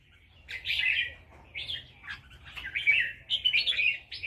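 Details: Red-whiskered bulbul, Loei province, Thailand, pours out a lively run of warbled, slurred whistles in quick linked phrases, rising and falling without a pause, in a quiet setting.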